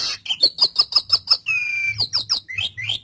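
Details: Asian pied starling song for training a pet starling: a quick series of about eight repeated chirps, then a long level whistle and rising squeaky notes, a faint hum in the background.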